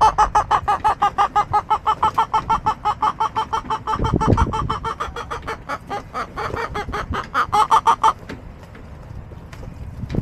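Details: Backyard chickens on April 23, 2024: a fast, steady run of short clucks, roughly three per second, continuing for about eight seconds, with a burst of low rumbling noise midway and quieter background after.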